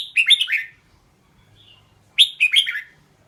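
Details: Red-whiskered bulbul singing two brisk phrases about two seconds apart, each a rapid run of four or so bright, warbled notes that dip and rise, in an otherwise quiet setting.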